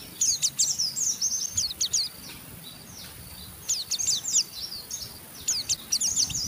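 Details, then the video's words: Oriental white-eye rough ngeriwik chatter used to stimulate a rival into singing: groups of high scratchy twitters in short bursts with pauses, over a steady hissing noise background. "Burung Pleci Ngeriwik Gacor merangsang Pleci Bahan ikut Ngeriwik Sampai Buka paruh"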